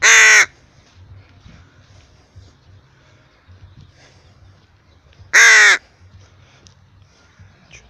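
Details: A tame rook out on a walk gives two loud, harsh, hoarse caws about five seconds apart, with quiet rustling and low background noise between them.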